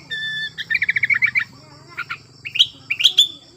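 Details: Sooty-headed bulbul in breeding condition, sung to provoke silent bulbuls into singing: a held whistled tone, then a fast run of about ten bright repeated notes, followed by scattered sharp chirps and a faint low hum.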